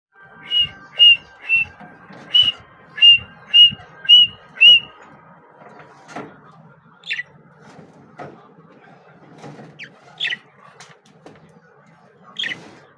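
Budgerigars give a run of bright, whistled chirps, then scattered scratchy calls.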